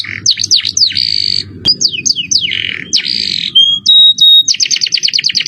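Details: Canary song in the luxurious 'cengkok mewah' style, recorded as masteran: dipping notes, buzzy trills, descending slurs, two level whistles and a fast closing roll of clipped notes.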